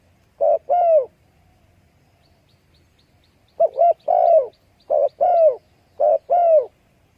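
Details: Spotted dove calling: low, soft cooing phrases of two or three hooted notes, the last note longest and slightly rising then falling, repeated in four bursts with short pauses, over a quiet background.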